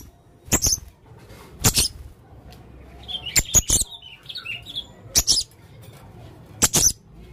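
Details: Male blue-crowned hanging parrot singing in scattered bursts of high sharp squeaks and chips, with a short warbled twittering phrase in the middle, over faint low hum.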